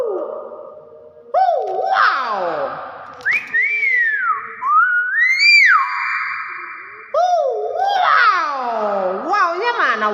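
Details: Hill myna talking, imitating human speech: a run of harmonic voice-like phrases, swooping whistles and sharp rising notes over ten seconds, with people exclaiming wow and faint music in a small indoor room.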